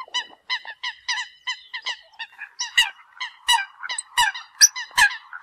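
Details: Eurasian coot flock call: quick nasal honks, roughly two per second, joined later by higher sharp squeaks over a steady low hum.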